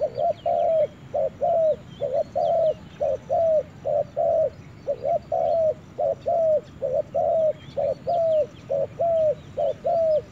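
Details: Spotted dove calling in forest, a continuous series of mellow coos about once per second, short paired notes alternating with longer slurred ones, while small birds chirp faintly higher up.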